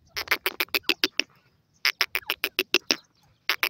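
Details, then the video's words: A grey francolin (partridge) in a forest gives fast runs of loud, harsh, clipped notes, about seven a second, in bursts of eight separated by brief pauses. "partridge bird khob playing in the forest"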